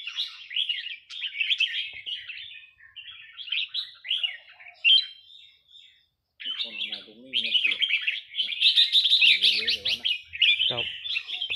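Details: Burmese-line red-whiskered bulbul in counted-phrase song; lively high warbled phrases in bursts, with a man talking softly in the background.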